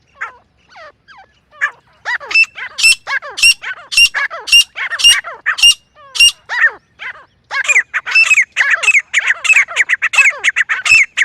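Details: Jungle partridge, or francolin, in a teetar hunting lure: busy harsh calling with a run of sharp, ringing notes about every half second, then dense overlapping rasping chatter.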